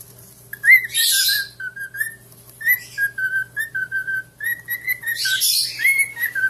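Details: Pet parrots whistling: a run of short, clear whistled notes at a fairly steady pitch, some sliding upward. Harsher bursts of rough, broadband sound come in between, over a faint low steady hum.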